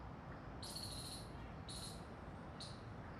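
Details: Green rose-ringed parakeets busy eating food; three harsh, grating screeches, each about half a second long, sound at roughly one-second intervals over a steady background hiss.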